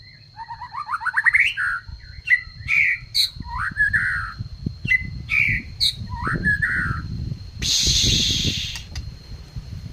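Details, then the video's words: Oriental magpie-robin kept in care, delivering a rapid run of rising whistled notes, then varied slurred phrases, with a steady high tone, low rumbling noise and a loud hiss near the end. "Rawatanurai batu trotol sampai pastol biar fighter"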